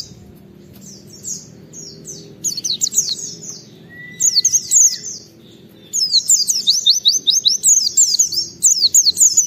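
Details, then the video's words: Oriental white-eye singing hard in ngalas style to provoke others of its kind: faint twittering builds into dense, loud, rapid runs of thin high falling whistles, with one steady lower whistled tone heard once. "Pleci Gacor MUNTAHKAN Isian Memancing Semua Pleci Ikut Gacor"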